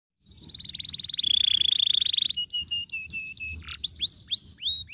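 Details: Canary song meant to stir other canaries to sing, with a long rolling trill: a fast buzzy roll held near two seconds, then repeated whistled notes, some flat, some sweeping upward, and a low note near the end.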